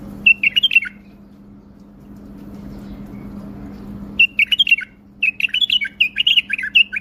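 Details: Bulbul singing with wing display: short bursts of bright, warbled whistled phrases, a quiet pause of about three seconds in the middle, then quick repeated phrases with a steady low hum underneath.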